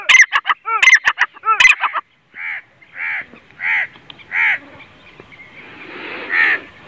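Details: Grey francolin (teetar), a partridge raised as a hobby bird in Pakistan, calling: a burst of loud harsh stacked notes, then rounded ringing notes repeated about every two-thirds of a second, fading into hiss.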